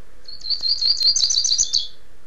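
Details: In Niterói, Rio de Janeiro, a double-collared seedeater sings a tirano-style phrase: quick, sharp, high chips accelerating into a buzzy twittering run, ending on a lower slurred note.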